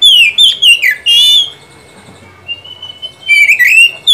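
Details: Oriental magpie-robin song meant to rouse a silent bird: fast whistled downslurs and a buzzy harsh note in the first second, a quiet spell with a soft level whistle, then another loud burst of rising and falling phrases.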